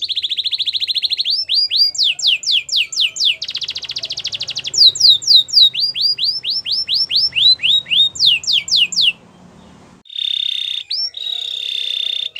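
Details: Canary song used for training other canaries to sing: rapid series of repeated downslurred whistled syllables, changing into trills and buzzy rolls, with a brief pause near the end before a steady high trill.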